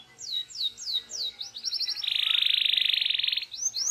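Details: Local canary singing for song training: a run of repeated falling whistled sweeps, then a long rapid buzzing roll lasting over a second, ending with rising whistles, over soft background hiss.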